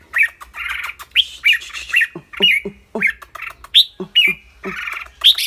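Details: Caged red-whiskered bulbul with a clear voice, mixing song with rapid chattering: sharp upslurred whistled notes and scratchy bursts in an uneven string, with faint low clicking underneath.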